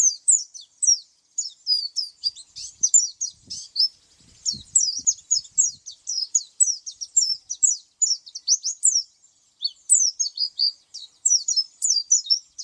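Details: Oriental white-eye delivering a long, continuous stream of very high, rapid chirps and twitters in dense bursts with brief gaps, faint low knocks early on.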